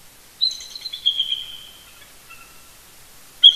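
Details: Eagle of a pair communicating first thing on a Sunday morning near its Big Bear Lake, California nest, November 2018: one descending squeaky chattering phrase, then a brief faint note and a sharp high chip.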